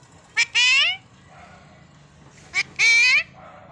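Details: Alexandrine parakeet imitating human speech, said to talk 'Mummy' and in Hindi: two loud, harsh, nasal utterances about two seconds apart, each a clipped short note followed by a longer drawn-out syllable, against a quiet background.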